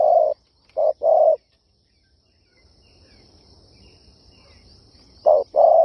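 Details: Spotted dove calling in the 'kích bổi' luring style. Loud, mellow coos come in a burst of three, followed by a quiet pause with faint background hiss, then two more coos.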